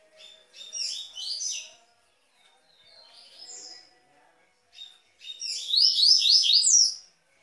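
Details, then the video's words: Song of the double-collared seedeater in the Tui tui style, meant for training caged singers; a short buzzy phrase, quiet twittering, then a loud run of rapid rising slurred notes. "O Melhor Canto de Coleiro Tui tui Para Esquentar e Treinar seu Coleiro e Papa Capim"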